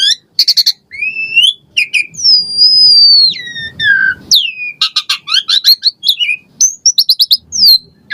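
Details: Asian pied starling singing varied phrases to prompt caged birds: ringing chirps, a long sustained high whistle sliding down at its end, then quick clipped notes and rising slurs.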